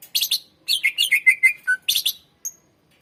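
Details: Greater green leafbird song for luring and training birds: harsh chattering bursts and a sequence of rapid slurred whistles dropping in pitch at the end.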